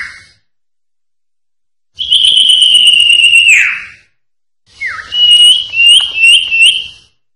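A Common Iora gives a long, drawn-out high whistle that drops sharply at the end, then a quick run of short, bright, rising chirps.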